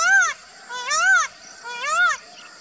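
An Indian peafowl gives three loud, nasal, wailing calls, each rising then falling, about one per second. They sound almost like a crying child, against a quiet background.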